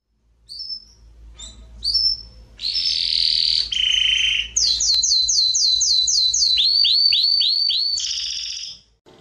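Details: Domestic canary singing at the 12th edition of a singing competition in Juiz de Fora, Minas Gerais, Brazil: short high whistles, then long rolling trills and a run of quick repeated sweeping notes, ending in a steady buzzy trill.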